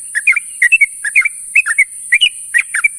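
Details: Dense, cheerful chatter of a sooty-headed bulbul calling companions in the morning: clustered liquid notes in groups of two or three, about every half second, with an even background hiss.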